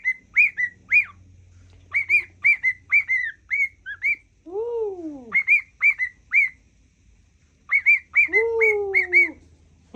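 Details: Pet cockatiel whistling a learned tune identified as the Mickey Mouse song: short clear whistled notes near one pitch in quick phrases, with two lower sliding, arched whistles mixed in and a faint low hum behind.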